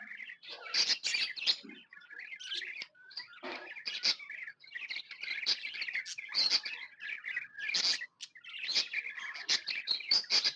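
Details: Happy pet budgerigars in long, continuous chatter, dense twittering and warbled chirps rising and falling in loudness, brief near-pauses between rushes of excited overlapping calls.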